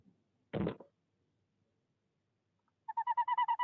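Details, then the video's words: Tawny owl pair at a nest box in De Mortel during the breeding season, 6 February 2021, livestream camera; the female calls the male from inside and he answers. A short harsh burst, then a rapid quavering series of about nine hoot pulses. "Bosuil vrouwtje roept in uilenkast 1, mannetje beantwoord"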